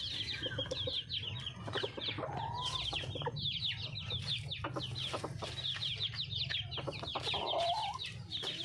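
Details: Red junglefowl hen in the wild, calling for a mate: quick series of throaty clucks with a couple of short upslurred notes, beneath a continuous wash of high, chittering birdsong from a busy background chorus.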